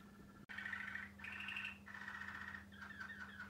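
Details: Pet male Waterslager Malinois canary over one year old singing: sustained, rolling warbled tones in several long phrases, with a steady low electrical hum and a click near the start.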